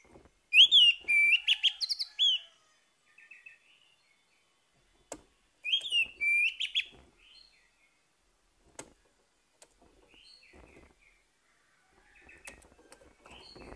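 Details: Orange-headed thrush morning song, meant to coax a bird that has gone quiet into singing again: two bursts of loud, varied whistled phrases with slurs and trills, separated by quiet stretches with soft clicks and faint distant notes.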